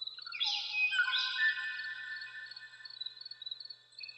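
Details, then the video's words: Kauaʻi ʻōʻō, the last male of a Hawaiian species extinct since 1987; drawn-out fluting whistles layered together, then a series of short sharp notes repeated rapidly, on a quiet background. "Escucha el Canto de un Ave Extinta (el último macho Kauaʻi ʻōʻō)"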